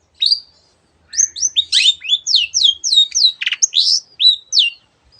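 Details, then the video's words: Long-tailed shrike singing a varied run of clear downslurred whistles and slides, broken once by a short buzzy rattle. "cendet gacor masteran untuk burung yang susah bunyi banyak varian suara burung lainya"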